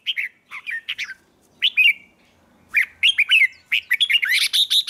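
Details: A red-whiskered bulbul practising its contest song in a wild-type voice sings bright, bubbling whistled phrases that rise and fall in quick bursts.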